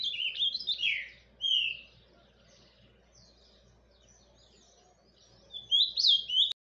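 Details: Ultramarine grosbeak, Paraná form, giving surdina quiet song: short clusters of slurred whistled notes at the start, a long quiet gap with faint soft notes, then a renewed bright burst before an abrupt cut.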